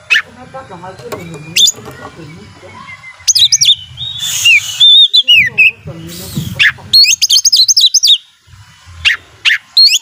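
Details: Domestic Oriental magpie-robin in energetic song aimed at stirring rivals: high twittering trills, clicks and fluty sliding whistles in fast bursts, with some faint murmuring early on.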